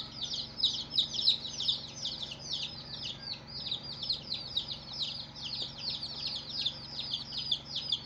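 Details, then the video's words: Coloured baby chicks peep busily, with rapid, high, descending chirps from several birds at once, loudest near the start and steady throughout. "Baby "Chicks Chirping" Sound"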